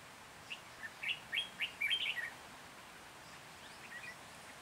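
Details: Lure red-whiskered bulbul singing for bird trapping, Hòa Bình, Vietnam, 14 January 2021: a quick sequence of about seven clear, sharp whistled notes rising and falling, followed by softer, more distant answering chirps.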